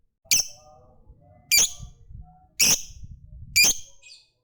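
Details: Lovebird giving four loud, sharp, high chirps spaced about a second apart, each a brief piercing note, with faint low rumbling between them.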